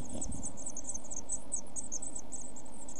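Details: Week-old Eurasian blue tit chicks in a camera nest box, 5–7 June 2014, give a steady stream of very high, thin cheeps in quick succession, over a low background rumble.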